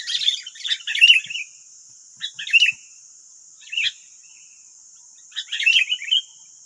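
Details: Wild sooty-headed bulbuls in West Lampung, Indonesia, nine birds answering a single decoy bird: four bursts of bright, bubbly chattering notes, each about a second long, over a steady high-pitched insect drone.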